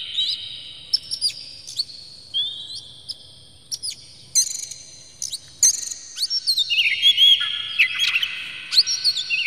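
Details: Oriental magpie-robin performing a provoking song with open tail: sustained high whistles, sharp clicks, and a drawn-out sweeping warble with scattered short notes.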